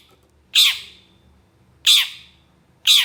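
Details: Long-tailed shrike uttering three harsh, grating squawks spaced over a second apart, each explosive and quickly fading, as the excitable bird answers other species with coarse sounds.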